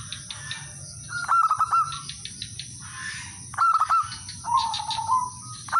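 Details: Local male zebra dove calling out to rivals as a lure, other birds answering: repeated bursts of fast, rattling, stuttered notes followed by a lower wavering tone; background hum and scattered chirps.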